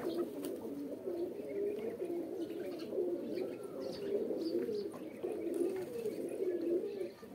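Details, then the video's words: A group of pigeons gives continuous deep, burbling coos that rise and fall in short phrases, several birds overlapping at once. "Pigeon Videos | Kabootar Ki Video Episode-5| Birds Sounds"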